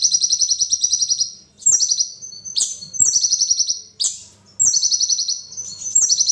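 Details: Repeated phrases from a kolibri ninja sunbird, each a rapid high-pitched trill ending in a sharp downslurred note, roughly every second.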